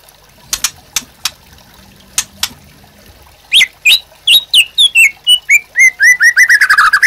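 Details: White-rumped shama master song used to train caged birds: a few sharp clicks, then loud whistled notes falling in pitch, speeding into a rapid series of short downslurred whistles that descend and accelerate toward the end.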